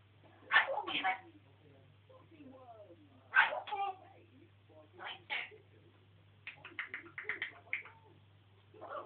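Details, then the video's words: Pet African grey parrot kept at home, on a rant, talking in bursts of speech-like phrases with clear voiced syllables and quick chattering runs, pausing between outbursts, over a steady low indoor hum. "african grey jo-jo talking"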